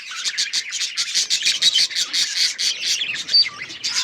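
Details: Budgies in a group give a steady flow of high chirps and raspy warbles, short bursts following one another quickly, with a clear whistled note near the end.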